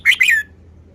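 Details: Single short phrase from a red-whiskered bulbul showing its song style, two rapid, bright, slightly slurred notes lasting under half a second, then quiet.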